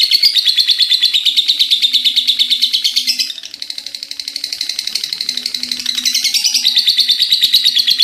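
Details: Long ngekek chattering from an actively singing lovebird: a dense, rapid rattle of shrill notes that softens briefly in the middle, then surges back at full strength.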